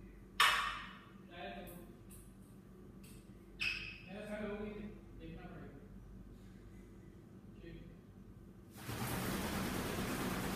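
A grey parrot gives a sharp squawk, then a few short, voice-like talking phrases in a room, ending in a steady burst of broadband noise.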